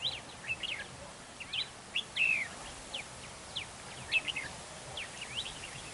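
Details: Red-whiskered bulbul used as a decoy at a trap, singing in a territorial fight: rapid bright whistled and chirpy phrases, some slurred downward, repeated throughout in a busy run, with faint background hiss.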